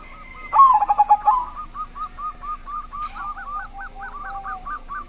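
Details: Zebra dove with a big voice singing as a lure for silent doves; one loud bubbling cooing phrase, then a long series of softer, evenly repeated hooked notes from other doves.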